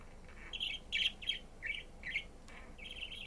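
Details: A pet budgerigar, recorded 11 March 2022, gives a quick series of bright, scratchy chirps in its chirping song, several notes each second.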